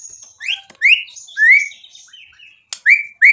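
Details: White-rumped shama singing to tempt a rival to reply: a few clear upward-slurred whistles separated by softer fragments and a sharp click.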